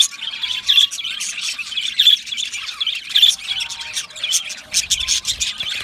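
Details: Budgerigars chirping and warbling: dense, bright high-pitched chatter of quick chirps and short whistled notes, with louder bursts about once a second and no pause across the clip.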